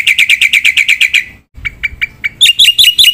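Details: Black-winged myna in lively full song packed with mimicked phrases: eight quick even chirps, an abrupt cut, then sparser notes and a bright burst of ringing high whistles.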